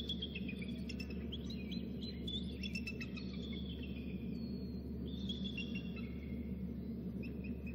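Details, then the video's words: Adult male eagle calling near its nest, with a third eagle also heard: thin, high chittering notes in short falling runs through the clip, over a steady low hum and background noise. "dad calling; 3rd eagle heard"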